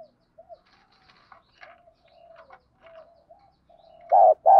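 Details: Spotted dove lure for provoking fights: faint, quiet cooing and soft scattered notes, then two sudden loud, hollow coos close together at the end.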